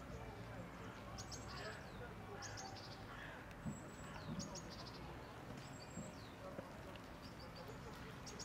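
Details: Grey wagtail in Prule, Ljubljana, Slovenia, on 16 January 2024 (winter), gives sharp, high, metallic call notes in short bursts every second or two, over steady low rumbling background noise.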